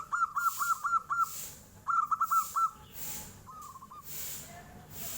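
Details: Local zebra dove (perkutut lokal) with flute-like 'nyuling' voice, answering as a tofu seller passes: two quick bursts of clear, repeated cooing notes, a shorter phrase after, with hissing background noise.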